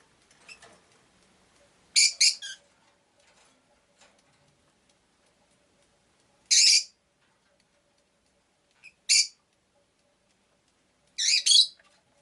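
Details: Rosy-faced lovebird, Agapornis roseicollis, a pet bird, giving short harsh high chirps in scattered bursts, single and paired, several seconds apart, over faint background noise.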